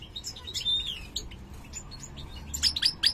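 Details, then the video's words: Goldfinch of the large 'mayor' type, a colour mutation, giving loose, scattered high twitters and a thin drawn-out whistle, growing louder with sharp chirps toward the end. "jilguero mutado cantando (jilguero mayor)"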